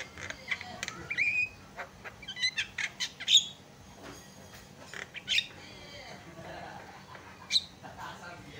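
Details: Javan myna (jalak kebo) on a masteran training recording meant to provoke other mynas into singing: a busy run of harsh squawks, rasping bursts and short rising whistles, irregular and loud at times, with quieter gaps between phrases.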